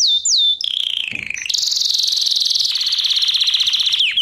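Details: Training-lesson canary singing: sweeping whistled notes, a descending slurred trill, then a long fast buzzy rattling tour held steady before a final downward slide.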